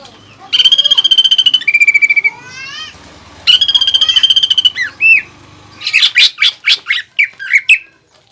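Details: Greater green leafbird lure and master song with 'pelatuk bawang' filling; two buzzy rattling trills with rising slurred whistles between them, ending in a string of sharp, loud chips.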